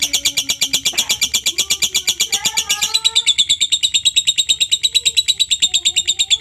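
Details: Lovebird ngekek lure chatter to make other lovebirds respond: a rapid, even rattle of high, shrill notes, with lower whistled notes from another bird heard briefly in the middle.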